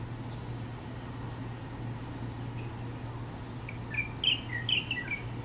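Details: Singing Chinese bulbul on a campus in Taiwan, one short burst of clear chirpy whistles with rising and falling slurs near the end, set against constant low hum and background noise.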